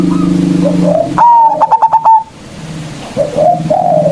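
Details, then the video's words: Local zebra dove, a lure meant to provoke rival birds into singing: a bright whistled note near the start, then a quick stutter of about five short pulsing notes, with softer cooing of other doves before and after. "Perkutut Lokal GACOR suara Besar Ampuh memanggil Lawan"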